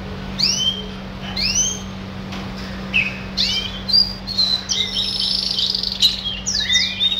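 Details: Song of one pet red siskin: sharp rising whistled notes about once a second at first, then a quickening run of scratchy twitters and high squeaky phrases. A faint steady hum stays beneath the whole recording.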